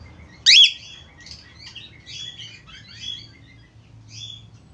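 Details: Australian finch calling: one sharp, loud squeaky note, then a jumble of quick, high chirps and twitters with short pauses, over a faint low hum.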